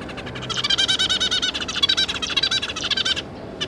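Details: Zebra finch pair with their three juveniles, recorded 5 August 2022: a dense, rapid run of nasal, buzzy beeping notes, close together for about two and a half seconds, then fading to quieter scattered calls.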